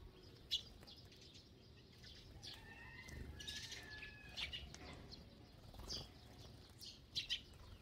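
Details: Sparrows eating together in a flock: sparse sharp chirps and a few thin whistled notes, with several louder chip calls toward the end against faint low background noise.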